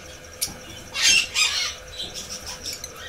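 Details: Red lory, a parrot kept at a pet home, giving a loud harsh screech around one to one and a half seconds, two raspy bursts, with faint background chatter and rustling.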